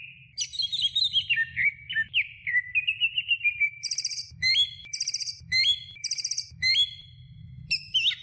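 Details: Training recording of greater green leafbird song for other birds: a descending run of whistled notes, then crisp, upward-hooked whistles alternating with short buzzy trills, over a faint low hum.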